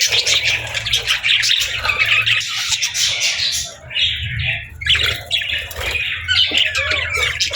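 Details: Budgerigar parents with their chicks, feeding and bonding; dense overlapping high chirps and scratchy chatter from several birds, with brief gaps and a low hum beneath.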